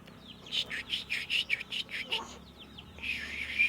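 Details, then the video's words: Sooty-headed bulbul being trained to sing: a fast string of clear chirping notes, a short pause, then a denser warbled burst, with soft chatter of other small birds behind. "Burung Trucuk Sungguh Mau Ber Kicau Terus"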